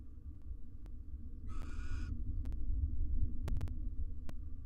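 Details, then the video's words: Barn owl pair, wild, courting next to four nestlings inside a research nest box; a single rasping, breathy screech lasting roughly half a second, with a constant low hum and scattered sharp taps around it. "Male and female barn owl court next to their 4 nestlings"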